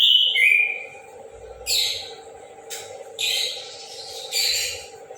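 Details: An orange-headed thrush in full morning song opens with a clear falling whistle, then gives short, rough, twittering phrases in quick succession against a steady droning hum.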